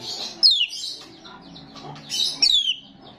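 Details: Lively starling song played to attract starlings: two clear, high whistled notes that slide steeply downward, separated by soft scratchy chatter.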